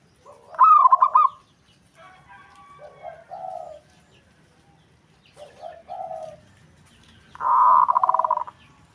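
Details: Local zebra doves calling back and forth, others replying straight away to one bird; loud rolling trilled coos open and close the stretch, with softer low coos and faint chattering between them.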